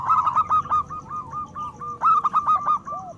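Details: Loud local Zebra Dove song, used as a lure to get other doves singing and raise their breeding urge. Dense rippling coos tumble in fast bursts, and more than one bird overlaps.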